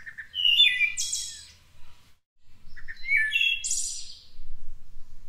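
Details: Two complete wood thrush song phrases, Cincinnati, Ohio: soft low lead-in notes, a rich flutelike middle, then a shimmering high trill, the pair separated by a brief silence.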